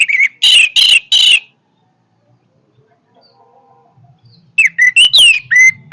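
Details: Orange-headed thrush in powerful song: three loud, dense, buzzy bursts in quick succession, a pause with faint low rumbling, then a rapid run of sharp whistled and chattering notes rising and falling.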